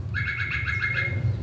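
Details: A drongo in Zambia mimics a female African cuckoo's bubbling call: a quick run of about seven rippling notes over a steady ringing tone, with a low hum beneath.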